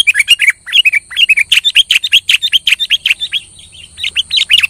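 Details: Kutilang singing loudly to provoke a quiet kutilang into song: rapid run of bright, chirpy whistled notes, each sweeping up and down, delivered in fast bursts with a brief softer pause midway, and a steady high hiss behind.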